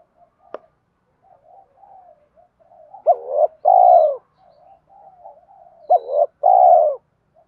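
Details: Spotted dove repeating its fighting coo, used to call wild doves in when trapping: soft low murmurs throughout, broken by two loud phrases about three seconds apart, each a hooked note then a long coo, plus one sharp click early.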